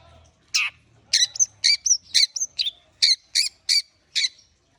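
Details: Long-tailed shrike warming up, giving a series of about ten loud, harsh, scratchy notes at an uneven pace of roughly two per second, some with short whistled tails, over a faint low hum.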